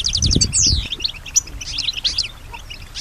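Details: Female European goldfinch in song, reacting to sounds around her: fast clicking trill, a downward-sweeping whistle, then scattered high tweets and twitters, with a short low thump early on.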